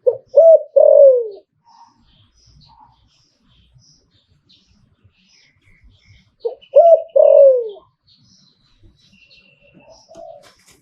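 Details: ['Zebra dove singing in the liu tan song style: two loud phrases about six seconds apart, each a short note, a hooked coo and a long falling coo, with faint chirps between.']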